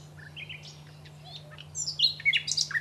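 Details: A common nightingale in the Aiguamolls park sings soft scattered notes, then a loud burst of rapid, varied high whistles and chirps, over a faint steady low hum.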